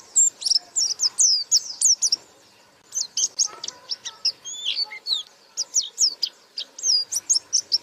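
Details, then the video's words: White-eye in lively gacor buka paruh song: two long runs of rapid, piercing high chirps and slurred whistles separated by a short silence. "Burung Pleci Gacor Buka Paruh"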